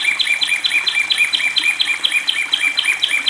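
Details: Long-tailed shrike singing as it bathes in water therapy, quick bursts of two-part chirps with a high sharp note over a lower one, repeated about twice a second, uneven in spacing.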